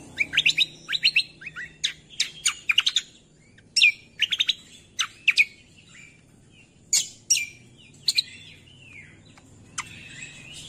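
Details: Greater green leafbird master song for training songbirds: lively bursts of rapid chirps and chatters, loud whistled downslurs, and quieter scattered notes across a long varied phrase.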